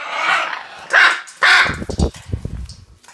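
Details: Pet Hyacinth macaw imitating a dog's bark, a trick it learned: two harsh, hoarse barks about half a second apart, then low knocking and handling noises.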